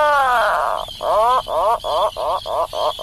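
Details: Atlantic puffin making an odd call: a long descending groan that breaks into a quick series of about seven short, throaty, pulsing notes, each dipping slightly in pitch.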